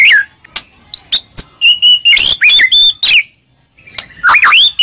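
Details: Provocation song for a quiet caged murai: sharp clicks, then clear sustained and slurred whistles that rise and fall, a short silence, and a closing burst of upswept whistled notes.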